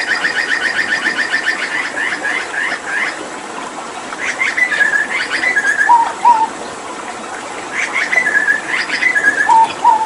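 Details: Hooded butcherbird from Papua, a caged mimic used to teach songs to other birds, heard with water therapy; rapid chattering trills followed by fluting, slurred whistles that drop to lower notes, phrases repeated twice, with constant water noise behind.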